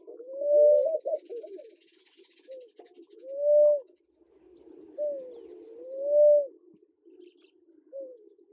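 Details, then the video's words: Low, hollow hoots from a Namaqua dove in Kenya, each swelling to a smooth sustained note roughly every one to two seconds, with a faint hiss at first and a gentle hum beneath. "Namaqua Dove, male, female and call"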